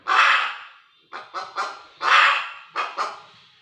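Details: Hen squawking loudly, a long rough note trailing off, then three sharp short notes, followed by another long squawk and two more short notes.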